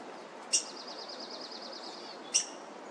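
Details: Nest of black-headed grosbeaks with three young in a front-yard laurel, South Eugene, 26 June 2023, parents feeding. Two sharp clicks bracket a rapid, wavering high trill lasting about a second, all over a droning pressure-washer hum.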